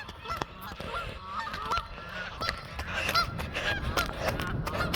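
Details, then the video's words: Chased from a pond, a flock of geese takes off honking: quick, irregular nasal honks from several birds, with some wind-like low noise underneath. "Geese honking and flying"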